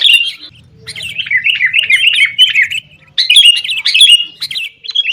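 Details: Sooty-headed bulbul in lively, noisy 'gacor tarung' singing, used as a lure to get caged bulbuls singing; fast chattering, warbled phrases, a short pause near three seconds, then a burst of sharper, higher notes.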